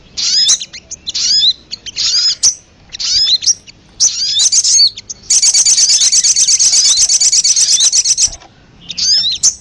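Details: Sogon (Crimson Sunbird) lure recording meant to draw birds in and make them call. Bursts of high, sharp chirps, then a long rapid buzzy trill lasting about three seconds, then a final chirp phrase.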